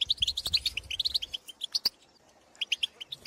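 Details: Goldfinches in the countryside calling to fellow goldfinches: a fast chattering twitter of bright notes, thinning to scattered chirps midway, then resuming with a few clear tinkling calls.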